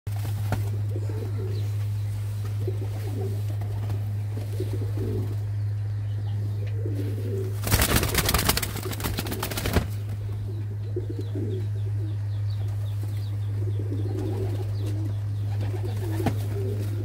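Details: A Shirazi domestic pigeon at a pigeon market in Damietta during Eid gives soft, low cooing over a steady electrical hum, with a brief burst of wing flapping.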